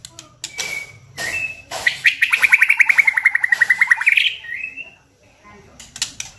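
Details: White-rumped shama (murai batu) song used as a lure to provoke other shamas into singing: a fast rattling trill of bright repeated notes, sliding slightly downward and then rising at the end, with short sharp chips before and after.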